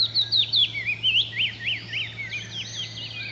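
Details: Icterine warbler from the wild repeating high, clear whistled notes, several sharply falling then rising, given in a quick regular series of about eight before fading into softer twittering.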